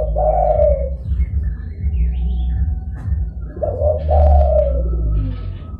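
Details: Zebra dove lure call, used to draw wild doves and answer rivals: two bursts of low, rolling coos, each a quick stuttered start then a longer trilled phrase, over a steady low hum with faint chirps of other small birds.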